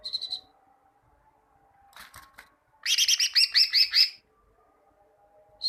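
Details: Greater green leafbird song used to get kept birds singing: a brief high trill, a few scratchy clicks, then a loud burst of quick, repeated two-toned chirps, over a faint low hum.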